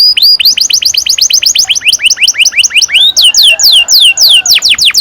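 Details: Canary song intended to train young canaries, with quick series of rising-then-falling whistled notes in rhythmic runs, followed by longer downward slurs.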